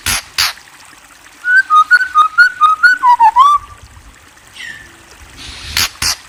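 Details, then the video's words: White-rumped shama song of about ten short, pure whistled notes alternating slightly up and down, followed by a quick downward-slurring flourish; faint clicks at the start and end. "Murai Bird Chirping"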